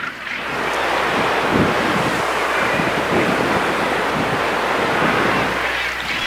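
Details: Steady roar of ocean surf and strong wind buffeting the microphone off Île Bonaventure, with no animal voices standing out.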